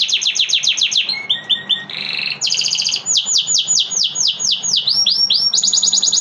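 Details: Canary song shifting quickly between tours: repeated downslurred notes, a short lower stuttering phrase, a buzzy middle section, then a bright rapid trill and more swooping whistles, ending on a fast high roll.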